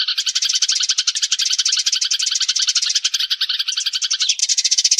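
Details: Sparrows calling the flock, recorded for luring birds: a lively, unbroken chorus of quick, high twitters overlapping one another.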